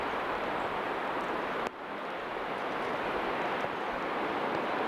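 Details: Steady wind rushing over the microphone, with a sudden brief dip, and no animal calls.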